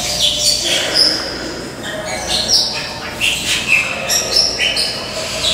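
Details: White-rumped shama singing at the Tulsa Zoo, recorded 14 May 2017: clear whistled notes at varied pitches, some high and thin, delivered in quick phrases over a loud wash of murmuring people and hall noise.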